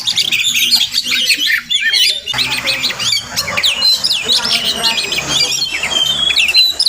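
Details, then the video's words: Wild Oriental magpie-robin heard on a morning visit to a house: looping whistled phrases and scratchy chirps pouring out rapidly after a brief lull, with a low droning tone in the background. "Crazy Sounds of Village Magpie Birds"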